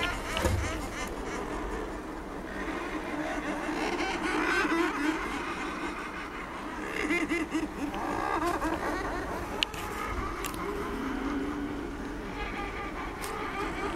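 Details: A Thick-billed murre colony on Coats Island gives a dense, unbroken chorus of harsh, growling calls from many birds while a polar bear swims below trying to catch diving murres, with wind or water rumbling underneath.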